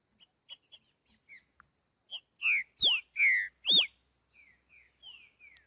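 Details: Green-winged saltator in nature, boiadeiro song style: soft scattered chips build into four strong, rich, down-slurred whistles about half a second apart, then fade into quieter falling whistles.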